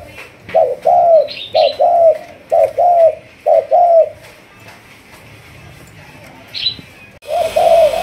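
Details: Malaysian spotted dove being trained as a decoy, 'thúc gù' type: four rhythmic paired coos in quick succession, a pause with a single high chirp, then another coo over a sudden hiss.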